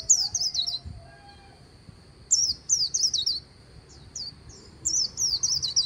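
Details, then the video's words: Beside the Kỳ Cùng river, a white-eye gives "líu" song in short phrases: clusters of quick, high, wavering slurred notes separated by brief pauses, with a few thin isolated chirps between. "VÀNH KHUYÊN HÓT LÍU/ 10 PHÚT CHIM VÀNH KHUYÊN LÍU BÊN BỜ SÔNG KỲ CÙNG RẤT HAY/ KÍCH KHUYÊN LÍU CHOÈ"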